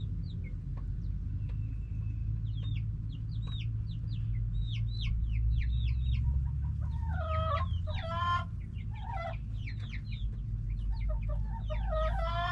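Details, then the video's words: Backyard hens and roosters making noise: many short hooked chirping notes and clucks from several birds, building into louder ringing, stacked calls near the end, over a constant low rumble. "Back yard chickens making noise🐓 Relaxing sounds of hens and roosters"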